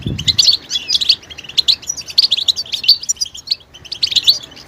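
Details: Mating-readiness betbeta calls of the European goldfinch, aimed at coaxing a male to sing: bright clipped chirps in groups of two to four, repeated steadily with short gaps, plus a low thud at the very start.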